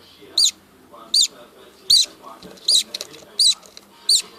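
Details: Budgerigars with a baby, Moroccan budgie: a regular series of six brief bright chirps spaced under a second apart, faint low chatter underneath.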